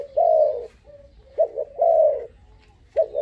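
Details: Young dove of five months, described as daring, sings a long mellow coo, a soft pause, then a quick double coo and another long note, low-pitched and steady.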